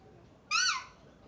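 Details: A single short, rasping call from a male pet Alexandrine parakeet, rising slightly then falling, heard over faint room background noise.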